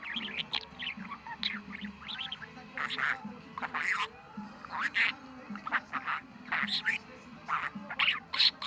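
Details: Talkative pet budgerigar, in great form on 23 November, pours out quick strings of gravelly, speech-like chatter with many short clipped syllables and brief pauses, steady hum in the background.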